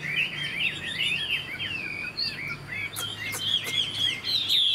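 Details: Caged young Chinese hwamei singing rapid, melodious whistled phrases with rising and falling slurs, ending on sustained higher notes; a few sharp clicks break in midway over a faint hum.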